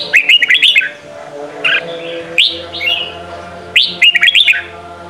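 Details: Red-whiskered bulbul singing in the Sông Kôn style, used as a daily voice-training song for young birds: short bursts of quick, liquid warbled notes, three phrases in five seconds, over a faint steady low hum.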